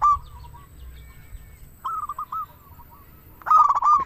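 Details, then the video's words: Local zebra dove cooing, played to prompt doves into song: a quiet warbled opening, then a run of rolling coos, and finally a loud clipped burst of rapid notes. "Perkutut lokal gacor suara paling ampuh untuk pancingan burung perkutut agar bunyi"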